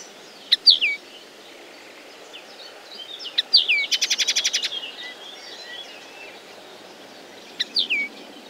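A common linnet sings a bright twittering phrase of high, downward-slurred notes and a quick dry trill, with a soft background hiss.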